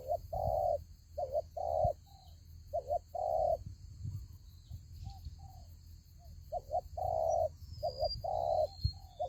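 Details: Spotted dove calling at a fighting trap baited with a ground decoy: a long run of mellow low coos, double notes and longer held notes in repeated phrases, a softer stretch midway, steady low rumble throughout.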